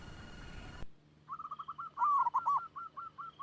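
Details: Local zebra dove used as a lure, fast-voiced: after a burst of rough noise, a string of clipped cooing notes, louder and overlapping in the middle, then fading into spaced single coos.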